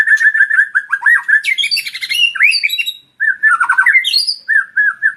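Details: Male white-rumped shama, called sahdu, singing a loud varied song: rich whistled phrases around mid pitch mixed with harsh squawky notes and rising sweeps, with a brief pause just after three seconds.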